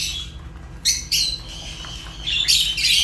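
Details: Fischer's lovebird: a quiet start, then a few sharp, high squeaky chirps followed by a longer harsh squawking burst near the end; low hum beneath.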